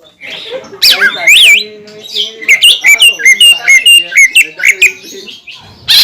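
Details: Greater green leafbird song used to push other leafbirds to sing: a few harsh squawky notes, then a steady series of about ten clear whistled notes, ending with a sharp burst.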